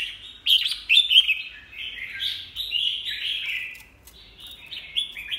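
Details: Caged red-whiskered bulbul with molting beak sings a loud run of warbled, slurred phrases, notes sliding up and down in a continuous chattering stream with short pauses.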